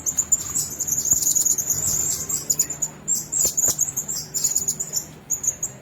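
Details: Several Blue-crowned hanging parrots in a single cage keep up an almost continuous stream of thin, piercing, high-pitched chittering notes, rapid and repeated, with a few sharp clicks.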